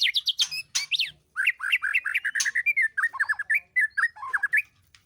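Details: White-rumped shama at a captive breeding aviary during mating season, a bird in breeding condition singing a dense, fast run of varied whistled and chattering notes with sweeping up-and-down phrases and almost no pauses.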